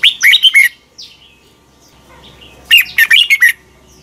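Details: Morning song of a red-whiskered bulbul used as a lure bird for training. A quick warbled phrase opens, soft chirps follow, then a second rapid phrase of five bright, rolling notes.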